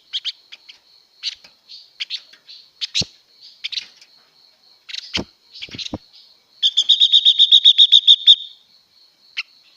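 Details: Female blue-winged leafbird, singing to stimulate males, mixes jumbled squeaky chirps and clicks before a sustained fast trill of evenly spaced buzzy notes, ending with a single chirp over a faint constant high tone.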